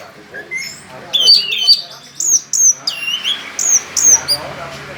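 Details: Orange-headed thrush kept for song contests, giving sharp, high whistled notes in short bursts, some falling, some hooked, with brief gaps between phrases and a faint low hum beneath.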